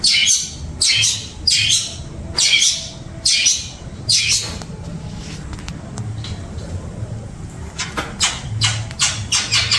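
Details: Long-tailed shrike giving harsh, scratchy, screeching notes, repeated roughly every 0.8 seconds at first, then a quieter pause, and then a quicker run of rasping notes. A low hum runs throughout.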